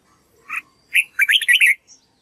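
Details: Red-whiskered bulbul singing as voice practice for a young white-cheeked bird to learn from: a single chirp, a pause, then a quick bright run of warbled, rising and falling whistled notes, clear and loud against silence.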